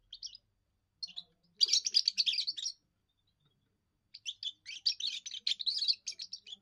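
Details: Young European goldfinch giving its first song, used to defend territory and attract females: two bursts of rapid, bright twittering with buzzy chirps, separated by a pause of about one and a half seconds.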